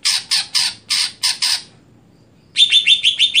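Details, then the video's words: Greater green leafbird singing in its stelan style: six harsh, buzzy squawk notes spaced about a third of a second apart, then after a pause a rapid, rolling trill of clear high notes. "Apakah Stelan Cucak Hijau Bisa Di Patenkan"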